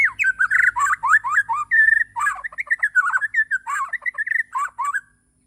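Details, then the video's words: Bornean white-rumped shama in morning song: continuous fast medley of varied warbled and whistled notes, with chattering elements and short steady whistles, for about five seconds. "Kicauwan murai batu di pagi hari.."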